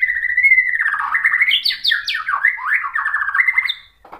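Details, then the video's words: White-rumped shama song used as a lure to provoke other shamas: a continuous run of rich whistled and warbled phrases, slurring up and down, with rapid trilled notes in the middle. "KICAUAN MURAI BATU bikin NYAUT EMOSI jadi BUNYI GACOR NGEPLONG BONGKAR ISIAN | PANCINGAN MURAI"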